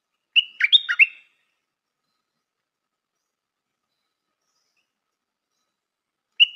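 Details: Stripe-throated bulbul (Pycnonotus finlaysoni), a new decoy bird, singing a quick burst of four or five bright, bubbling whistled notes, then a long silence before the phrase repeats.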